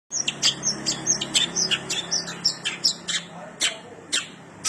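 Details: Cendet singing energetically with sparrow-like mimicry: rapid sequence of high, sharp chirps and short twittering notes, about three per second, evenly spaced, with a faint low hum underneath.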